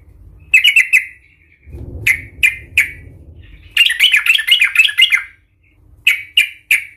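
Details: Sooty-headed bulbul in excited fighting song aimed at provoking rivals: a quick chirp cluster, low rumbling, three spaced bright notes, a fast chattering trill, then three more crisp chirps.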